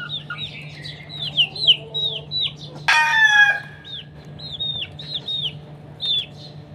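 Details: Chickens during a morning fight: rapid, high, falling peeps in runs, broken midway by a loud, rough squawk of about half a second, then more peeps over a low background hum.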